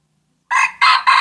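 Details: Aceh junglefowl, a lure recording for catching birds: a loud, harsh, rasping crow in three close bursts, the last two strongest and evenly sustained.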